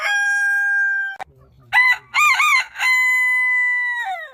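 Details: A rooster holds a long, pure, level crow note that drops sharply at the end. Then comes a burst of three choppy syllables, followed by another long sustained note with a falling close.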